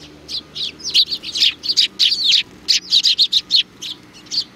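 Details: A lively flock of sparrows at a Tenmangu shrine in Japan, 4 July 2019, chirping almost nonstop. Dense, overlapping high tweets form a busy, chattering chorus.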